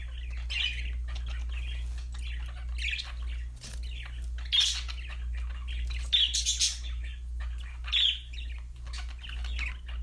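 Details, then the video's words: Happy budgerigars singing in lively chatter of chirps and scratchy squawks, louder bursts every couple of seconds, steady low hum behind. "budgies chirping sound for lonely #birds TV. Happy #parakeet singing"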